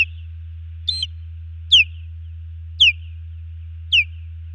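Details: Intruder at the Hellgate Canyon nest, Missoula, Montana, 15 June 2019: while the male defends, the female osprey repeats loud, thin whistled chirps that drop sharply in pitch, five in under five seconds, over a low camera hum.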